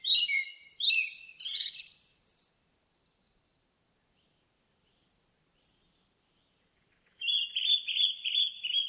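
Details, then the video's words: Forest indigo bunting song: bright paired whistles climbing into thin, high rising notes, then several seconds of silence before a new phrase of rapid, buzzy repeated notes at an even pitch. "NATURE SOUNDS: Indigo Bunting in the Forest"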